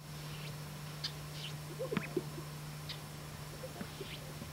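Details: Male greater sage-grouse displaying on a traditional lek, strutting with inflated air sacs to attract females; faint popping and low bubbling notes near the middle, with soft distant chirps and a steady low hum.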